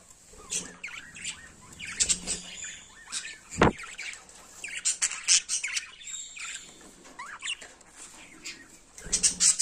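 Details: A pet yellow budgerigar pair, seen mating, chatters in a busy stream of high, scratchy chirps and warbled squeaks, with one sharp click.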